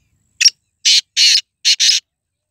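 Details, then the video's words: Black francolin of the Sindhi nasal strain, a kala tetar in breeding condition, calling: one short note followed by four loud, harsh grating notes in two pairs, strident and rasping over silence. "Sindhi nasal tetar _Kala teetar _Kala tetar"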